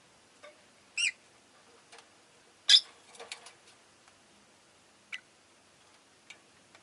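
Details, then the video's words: Rosy-faced lovebirds kept as pets, fairly vocal this day; two sharp, harsh chirps a little over a second apart, followed by fainter clicks and small ticking sounds in a quiet room. "Lovebird Chirping Sounds"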